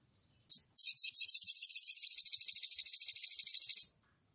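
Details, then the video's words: Crimson sunbird in chattering 'ngleper' style, calling to a rival: a sharp high note, then a fast, even, very high buzzy trill of rapid pulses lasting over three seconds, with silence around. "SOGON GACOR NGLEPER MEMANGGIL LAWAN"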